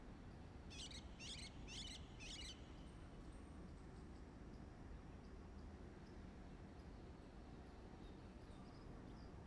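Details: An Oriental (Indian) white-eye in New Delhi, May 2022, gives four quick, high, scratchy notes in about two seconds, then a few faint thin peeps, over a steady low rumble of wind or traffic.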